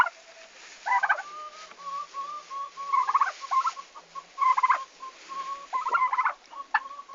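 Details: Domestic turkeys on a farm on 11 August 2015, the day they arrived, giving bursts of rapid gobbling chatter about every one to two seconds, interspersed with a thin, steady whistled tone running between the bursts.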